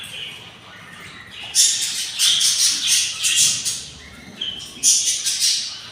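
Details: Hungry budgerigar nestlings, six chicks from one pair's clutch at day 24, making a rapid series of scratchy, hissy begging rasps that swell and fade in clustered bursts.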